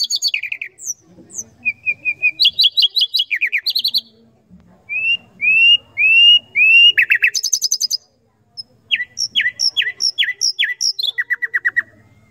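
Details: Common nightingale singing a varied song of rich phrases: sharp chirps, rising slurred whistles, fast rattling trills and repeated staccato notes, with quiet pauses between phrases and faint low background rumble.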